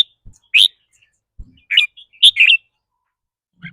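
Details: Red-whiskered bulbul singing in the rapid trilled style called rik rua or rik boen, which varies with the bird's mood that day: a few short, bright chirped notes in two quick clusters, then a faint final note, with quiet pauses between.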